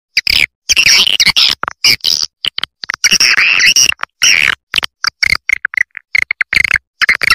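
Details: Swiftlet roosting call in the Triple Queen style, loud chattering bursts of high twittering and buzzy chirps, cut into choppy segments with abrupt silences between them.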